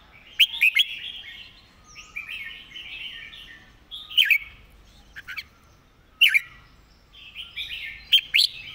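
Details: Red-whiskered bulbul singing a master song with quick, repetitive delivery: short, emphatic whistled phrases recur about every two seconds, each a pair of sharp downslurred notes, against a steady warble of other birds.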